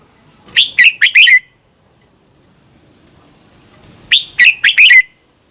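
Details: Red-whiskered bulbul song from Thailand, used for training or exciting caged birds: two matching phrases of five quick, ringing chirps slurring downward at the close, about three seconds apart, with a faint high hum between.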